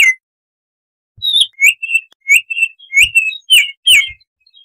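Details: Baltimore oriole singing a forest-style 'tembakan' master phrase used to tutor cage birds: a string of rich whistled notes, some rising or falling, delivered about two per second, with faint soft knocks underneath.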